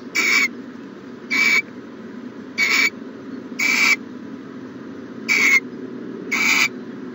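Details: Nest-box owl on the morning of 1-14-20 giving six evenly spaced, harsh hissing screeches, each under half a second with a thin whistled edge, against a continuous low electrical-sounding hum.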